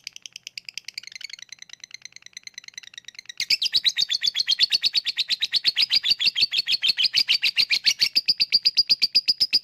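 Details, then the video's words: Lovebird 'ngetik' leading into 'ngekek', a lure for birds reluctant to sing: soft quick typing-like clicks at first, then a loud sustained stream of rapid, piercing chatter notes. "Ngetik lanjut ngekek@Pancingan untuk Lovebird yang malas bunyi"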